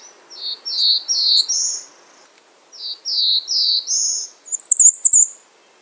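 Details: Bay-breasted warbler phrases: four slurred notes rising step by step, repeated twice, then a fast, high, thin trill to finish.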